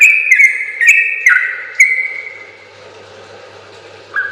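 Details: Sooty-headed bulbul singing persistently in long rapid phrases, used as a training recording for other bulbuls: a few bright whistled notes stepping down in quick succession, each with a sharp click, then trailing off into quiet before one last note.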